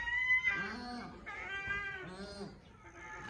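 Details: Paradise shelduck calls: several drawn-out nasal notes, each rich in harmonics and slightly arching in pitch, following one another over a few seconds against a low background hum.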